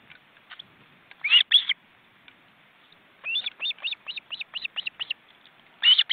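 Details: Osprey family on its nest in a forest reserve in Estonia, caught by a live webcam, with four birds in the nest. Loud harsh bursts, then a measured run of about nine clear whistled chirps, then another harsh burst.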